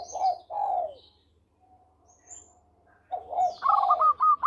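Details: A local zebra dove (Geopelia striata) sings soft, mellow, falling coos, then a quick run of brighter staccato notes. A faint chirp sounds in the background. The song is presented as suitable for luring birds.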